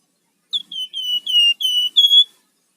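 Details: Singing rufous-fronted laughingthrush, its 'gacor' song in 'ngebren' and 'nyiul' styles, used for luring and master training: six ringing whistled notes in steady rhythm, slightly descending, the final note higher and flat.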